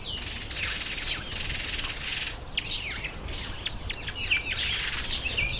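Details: Masked weaver chatter during the September–October breeding season: dense buzzy, sizzling notes mixed with sharp rising and falling chirps from several birds calling at once.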